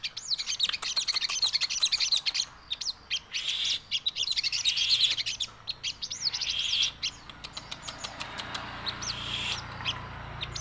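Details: Javan cochoa in crewet song: dense runs of high, rapid chirps and looping whistled notes pour out for several seconds, break off briefly, then resume before fading into sparser ticking notes.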